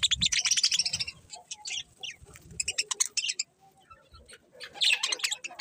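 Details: Colourful budgies chattering in loud, buzzy high bursts of fast chirps, broken by a brief lull before another intense burst of twittering near the end.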